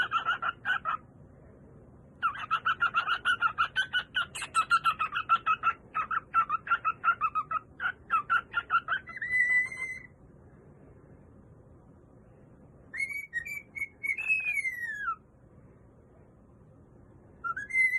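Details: A male pet cockatiel sings a run of rapid, harsh chattering notes, then clear whistles that rise and fall.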